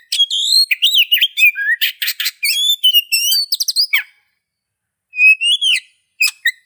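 Oriental magpie-robin singing a rich, varied run of clear whistles, slurred rising notes and quick buzzy trills, pausing briefly before two more whistled phrases.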